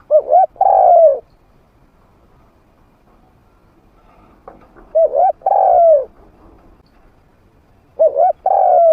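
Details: Decoy spotted dove, a trained bird with a medium voice that draws wild doves to fight, repeats a phrase every four seconds: a brief double note then a long, falling, hollow coo.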